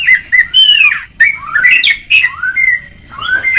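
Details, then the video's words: Oriental magpie-robin (kacer) giving ngeplong song on a training recording: a continuous flow of clear whistled slurs, some rising and some falling, with brief harsh notes between them. "Kacer Ngeplong!!!"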